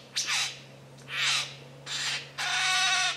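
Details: In dark rainforest at Dorrigo National Park, a mature male lyrebird gives harsh, hissing, broadband bursts, four in about three seconds, the last longer and slightly tonal, over a low steady hum.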